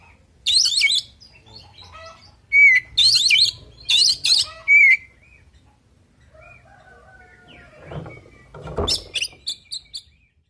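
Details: Oriental magpie-robin (kacer) fighting song: harsh, buzzy, scratchy bursts mixed with piercing whistled slurs in the first five seconds, then a quieter gap with faint soft notes, thumping knocks and a final run of short high chips.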